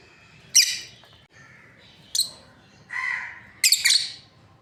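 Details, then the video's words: Breeding pair of lovebirds giving a few scattered, harsh, high shrieking chirps, with a lower buzzy call near the three-second mark and quiet gaps between bursts. "Lovebirds parrot chirping sounds | breeding pair"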